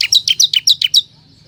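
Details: A short burst from a lively ciblek kristal used as bait for wild forest birds: about seven quick, high, sharply downslurred chips in a steady rhythm, then quiet.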